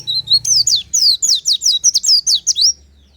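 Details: Oriental white-eye singing in the morning, a natural lure: a fast chain of loud, high, down-sweeping chirps for about two and a half seconds, over a soft low background hum.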